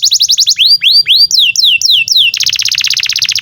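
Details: Canary singing a long 'gacor' song used to train young or silent canaries: short trilled notes, sweeping up-and-down whistles, then a fast continuous buzzy trill.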